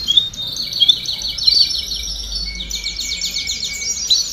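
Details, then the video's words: Domestic canaries in a group chorus meant to push young birds to sing faster. Dense high trills run continuously, with short whistled accents and a long fast rattle holding steady in the second half. "Baderna de Canario Do Reino Canto Para Estimular Filhotes a Cantar Mais Rápido"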